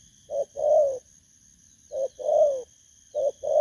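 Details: Low, mellow coos from a wild-caught spotted dove (thổ cấn) at a decoy site. A clipped note leads into a long, falling hoot, repeated roughly every 1.6 seconds over a faint continuous high hum.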